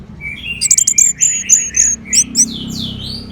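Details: Orange-headed thrush (anis merah) from northern Bali, Singaraja: a fast twittering series of high whistled and buzzy notes, about a dozen in quick succession, over a low background rumble.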